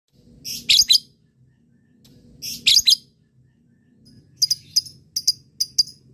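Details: Lovebird chirping, played to make other lovebirds answer with a long trill: short bursts of high, sharp chirps in clusters, then a quicker run of clipped notes, with faint low background hum.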